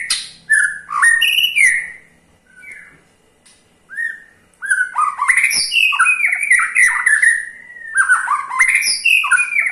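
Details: White-rumped shama giving ketrekan to stir other shamas into song: bursts of whistled, slurred notes separated by a brief quiet gap, then a long rapid chattering run of mixed pitches.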